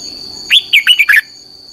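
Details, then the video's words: Red-whiskered bulbul voice-training song: a single rapid phrase of five liquid, warbling notes, first rising and then dropping. A thin steady whine sits behind it. "luyện giọng cho chào mào hót hay"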